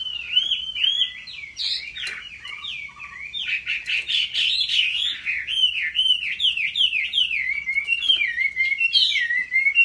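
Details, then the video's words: Chinese hwamei singing competitively, trained at home: a long, loud, energetic song of quick looping whistles, many rising-and-falling notes repeated in rapid chains, with occasional ticks in the background. "Họa mi hót đấu cực hay"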